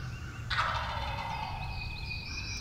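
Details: Wild turkey gobbler gobbling on opening day of the 2023 spring turkey hunting season in Tennessee, a whitetail deer nearby. One rattling, descending gobble bursts out about half a second in, its echo trailing off over a steady low rumble.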